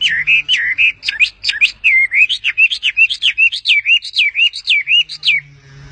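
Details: A small bird perched on its owner's hand sings a quick, unbroken run of high whistled notes, each slurred up or down, about four per second, over a faint low hum.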